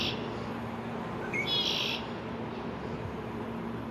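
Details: Immature male Red-winged Blackbird in his first spring, visiting a downtown backyard on May 1, 2024, singing to defend territory: a few short clear notes, then one harsh buzzy trill about half a second long, over a steady low rumble.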